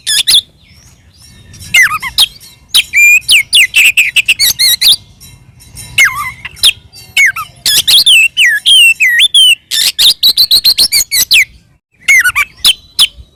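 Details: Fighting song of an Oriental magpie-robin in ngeplong style, meant to make other magpie-robins reply aggressively: varied bursts of whistles, downward slurs and scratchy squeaks, with quieter gaps between phrases.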